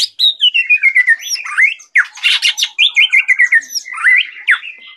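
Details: Caged white-rumped shama, a Medan type, in lively full song: a fast stream of varied whistles, sliding notes and rattling bursts with no pause, loud and clear.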